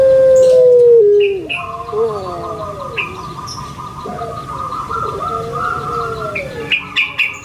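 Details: Barbary dove, puter pelung type, kept in Indonesia. It opens with a loud sustained coo that slides downward, then fades into softer, gurgling coos. Other birds whistle steadily in the background.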